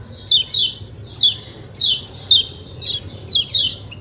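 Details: White-eye (kecial kuning) calling 'ciak ciak': paired high, descending chirps repeated roughly every half second, clear against a quiet low hum.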